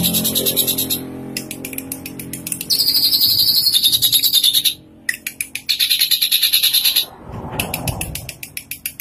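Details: Tame drongo singing actively, rich in varied fill-in phrases: rapid trains of sharp chirping pulses repeated several times a second, with long buzzy high notes between short gaps.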